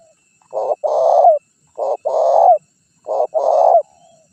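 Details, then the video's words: Spotted dove used as a decoy to lure wild birds: three clear phrases, each a short coo followed by a longer rolling coo that drops at the end, spaced about a second apart. "Suara Pikat Terkukur Gacor Juara 1 Untuk Pancingan Cepat Bunyi"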